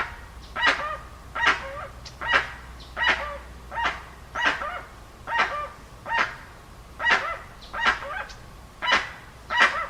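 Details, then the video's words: Dusky-legged guan calling in a run of rough, goose-like honks, roughly one and a quarter per second, slightly irregular, some with a short dropping tail note; faint hum behind. "Jacuguacu Efeito Sonoro"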